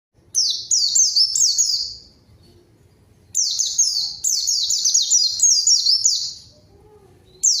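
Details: White-eye song used as a lure to call a rival and get silent birds singing: two loud bursts of high, thin, rapidly descending slurred whistles, tumbling over each other in quick succession with a gap between bursts.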